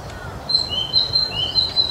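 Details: Young Narcissus flycatcher singing at Mizumoto Park on 1 May 2023; clear high whistled notes alternating two pitches, repeated several times per second in a steady phrase.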